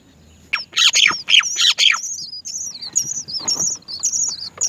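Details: Great myna young waiting for food from their mother; harsh, raspy bursts open the sequence, followed by a string of high, piercing, descending squeaks repeated rapidly.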